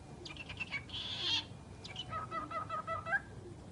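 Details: Talking bird giving a quiet, broken run of harmonic notes, then a harsh buzzy burst and a long flat whistled tone ending in a short upward slide, over low background rumble.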